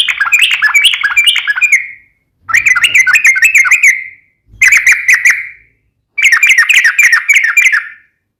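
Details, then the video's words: Sooty-headed bulbul (trucukan) in full song, in the nembak, ropel and ngeplong style: four bursts of rapid, bubbly, warbled notes near the upper-middle range, each lasting one to two seconds, separated by short silences. "KICAU SUARA trucukan gacor NEMBAK ROPEL NGEPLONG"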